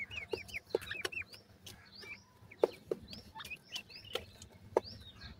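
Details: Feeding francolin chicks utter short, high, down-slurred peeps in loose bursts, about one every two seconds, between sharp pecking taps on a hard surface.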